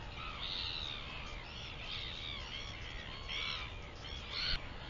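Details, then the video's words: Northern royal albatross calling on 24 September 2021, with harsh, harmonic cawing notes rising and falling in overlapping bursts, a louder pair near the end, over steady wind rumble. "Northern royal albatross"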